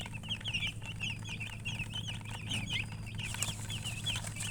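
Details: Young chickens giving dense high-pitched peeping calls, short rising-falling notes in quick succession, over a low droning hum.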